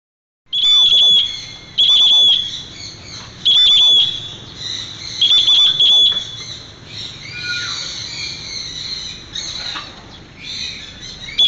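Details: African grey parrot calling back out a door: loud, pure whistled notes at a steady high pitch, repeated roughly every two seconds, then softer chirps and squawky notes with a faint background hiss.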